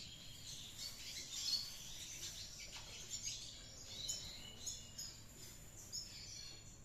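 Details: Red siskin in lively ngriwik twittering: a soft, fast stream of high scratchy notes with occasional brighter chirps every second or so, set against steady low background noise.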